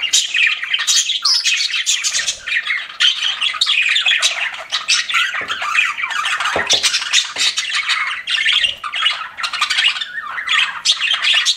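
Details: Pet budgies in a loud, unbroken chatter of grating squawks, rapid clicks and high twittering notes, many calls overlapping throughout.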